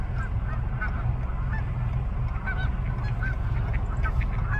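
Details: Canada geese calling at twilight, many quick overlapping honks from several birds in rapid succession, faint against a loud, low continuous rumble.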